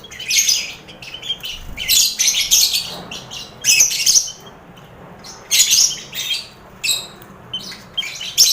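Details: Crowded aviary of lovebirds mixed with finches and quail, played to build confidence in competition lovebirds: repeated shrill squawk bursts every second or two, harsh and high, between quieter spells.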